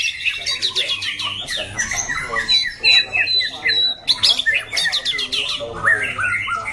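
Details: Caged white-rumped shama kept for singing contests, noted for a loud, harsh, shifting voice, delivers rich whistled phrases and rapid stacked chirps in bursts separated by brief pauses.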